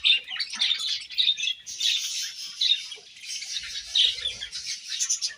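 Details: Budgerigars eating grass, a flowing high warble with repeated short chirps and rasping notes, fairly continuous throughout.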